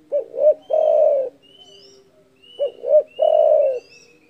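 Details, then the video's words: Spotted dove calling in a loud voice meant to provoke rivals: two short arched coos followed by a long, steady, slightly falling coo. The phrase comes twice, about 2.5 seconds apart. Faint thin whistles from other birds sound above it. "DERKUKU GACOR DOR SUARA BESAR MEMBUAT EMOSI LAWAN"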